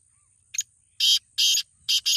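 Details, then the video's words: Black francolin call for getting a kept teetar to call clearly: a short scratchy lead-in note followed by three loud, coarse, rasping notes, the last split in two, over a faint high hiss. "Kalay Teetar ko bolwanay ka tariqa/ Black Teetar Voice/Kala Teetar ki awaz"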